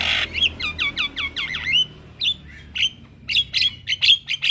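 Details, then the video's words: Male Javan myna calling to lure other mynas and starlings into answering: a run of quick whistled notes bending down then up, followed by short harsh chatters and squeaks spaced about every half second. "Semua Jenis Burung Jalak Akan Langsung Nyaut dengar Pancingan Jalak Kebo Jantan"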